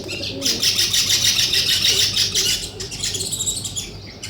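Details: Nest-building weaver birds: loud, dense high-pitched chattering, many chirps run together for two seconds, then a brief pause and quicker pulsing chirps, with faint lower notes underneath.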